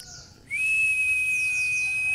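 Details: White-eye training recording in the nembak style: after a brief quiet start, one long steady, pure whistle holds an even pitch to the end, with faint high rapid chirps above it.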